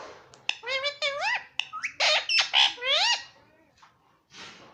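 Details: Parrot mimicking "mummy papa" indoors, a quick string of rising, squawky speech-like syllables with bright harmonics, a short pause, then one softer final burst.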